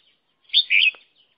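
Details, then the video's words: Red-whiskered bulbul serving as a trapping decoy: a single rich warbled phrase of several slurred notes lasting about half a second, with a faint low knock at its end. "Tiếng chim chào mào mồi"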